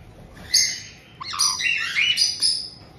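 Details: White-bellied caiques kept in a multi-bird home in Tokachi, Hokkaido, Japan, 18 June 2023, as a resident pair welcomes a two-month-old newcomer. A sharp high note, then a run of harsh, rasping, rising and falling squawks.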